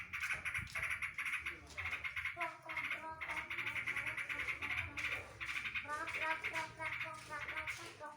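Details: Yellow-vented bulbul with song filled with green leafbird 'tembakan drodot' phrases. Fast buzzy chattering bursts follow one another almost without pause, and some bursts carry lower warbled notes underneath.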